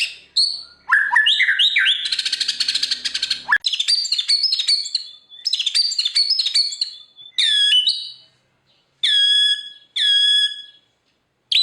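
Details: Murai batu, the white-rumped shama, in energetic full song used to coax birds that have gone quiet: a harsh rattling burst, then rippling whistles and chatter, ending in clear repeated downslurred whistles separated by short silences.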